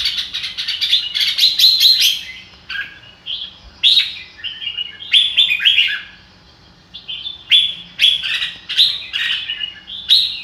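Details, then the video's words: Red-whiskered bulbul singing "ro kích bổi": opening flurry of sharp chirps, then separate lilting whistled phrases spaced by short gaps, with a quiet pause around seven seconds. "chào mào ro kích bổi sung theo"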